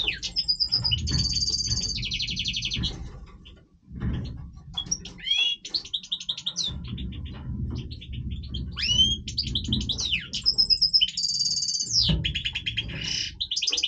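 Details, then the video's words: Breeding song of a Major goldfinch, long and varied: buzzy trilled bursts, liquid twitters and sharp rising whistles, with a brief pause midway before the twittering and trills resume. "Stieglitz Major Breeding Voice - singing Goldfinch"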